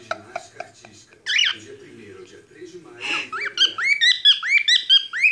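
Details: Pet cockatiel indoors making noises as its owner talks to it: human speech at first, then a run of rising, whistled chirps repeated rapidly.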